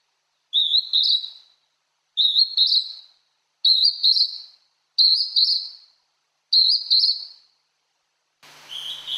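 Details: Wild Hodgson's hawk-cuckoo singing at Tomin no Mori, Tokyo, Japan, heard more than seen: five high, clear whistled two-note phrases, each rising sharply, repeated about every one and a half seconds, ending with a short burst of broadband noise.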